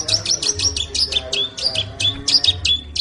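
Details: Long-tailed shrike song: quick repeated high chirps, some sliding downward into short whistles, delivered in lively bursts about three to four per second, with a low steady hum underneath.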